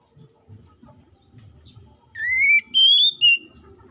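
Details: Oriental magpie-robin singing in 'gacor ngeplong' style, calling a rival, used as a lure to prompt another magpie-robin to sing; after quiet low murmur, a clear rising whistle followed by two shorter higher whistles.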